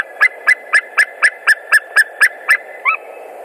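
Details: White-tailed eagles at a nest in Latvia on 28 March 2019, during a nest change-over with one bringing straw: a series of about ten sharp, yelping barks, evenly spaced four per second, then one softer note.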